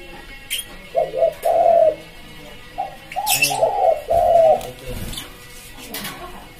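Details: Spotted dove (tekukur) cooing, used as a lure for wild birds. Two low, rounded phrases of short coos, each ending in a longer coo. Scattered clicks and knocks are heard in the background.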